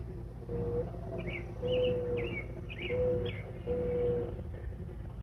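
Mourning dove giving soft, hollow, low cooing notes, four in about five seconds, with higher chirps from small birds and a low background rumble.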